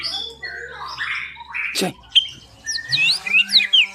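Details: White-rumped shama giving varied whistled and slurred phrases, mixed with a harsh scratchy passage, a sharp click midway, then clear upward and downward whistles over a steady low hum.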